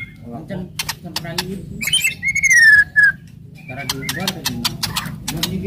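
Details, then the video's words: White-rumped shama singing aggressively to provoke other shamas: clicking ticks, then one clear whistled note sliding gently downward, followed by more rapid dry clicks and faint chatter. "KRETEKAN KERAS & TEMBAKAN MURAI BATU FASTOL.//, ASLI SUKSES MERANGSANG EMOSI"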